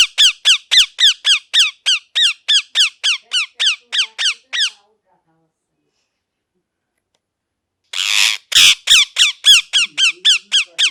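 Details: Parrot giving a long, evenly paced string of sharp, downward-slurred screeches, about four per second, then silence for three seconds before a raspy squawk opens a second rapid run of the same shrill notes.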